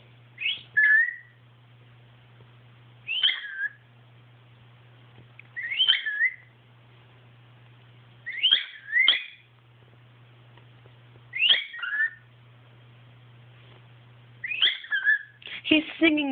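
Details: Pet male cockatiel singing along with a boy, finishing the boy's tunes in his own style: short, bright whistled phrases repeated every few seconds over a low steady hum.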